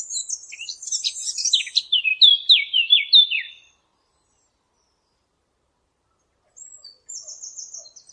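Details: A Eurasian blackcap, recorded clean for hunting devices, gives a fast scratchy warble that breaks into a string of loud, falling fluty whistles, then goes silent before a thin high twitter resumes.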